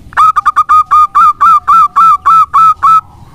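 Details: Local zebra dove singing actively, used to prompt other doves to sing: a run of about twelve clipped, hollow cooing notes at one steady pitch, evenly spaced and delivered quickly over three seconds in a quiet setting.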